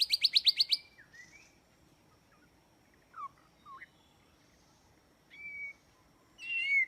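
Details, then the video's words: White-rumped shama song played as a trap lure: it opens with a loud burst of quick high repeated notes, then sparse, brief slurred whistles separated by quiet gaps, and closes with a rising whistle and a twittering phrase. "Jebakan burung murai batu"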